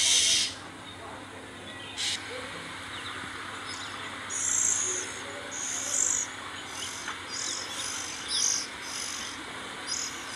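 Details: Oriental magpie-robin feeding its young, seen close up: short, high, raspy hissing bursts repeat irregularly, roughly every second, over a constant background hiss.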